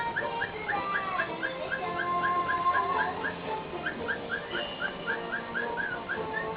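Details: A dancing cockatiel in a happy mood sings quick, repeated whistled chirps along to its favourite song playing in the background.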